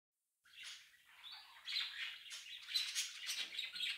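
A budgerigar's busy chatter of scratchy chirps and warbles, high-pitched and running on almost without a break.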